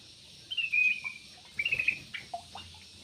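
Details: Yellow-vented bulbul (trucuk) in an aviary: two short bubbly, warbling phrases near the start and middle, each under half a second, followed by a few soft scattered notes over quiet background hiss.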